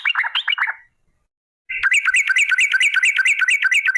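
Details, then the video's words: Sooty-headed bulbul in lively form, lure song to prompt other bulbuls to sing: a quick warbled phrase, a pause, then a steady rapid chain of sharp whistled chirps. "TRUCUK Gacor ROPEL PANJANG pancingan trucuk agar BUNYI"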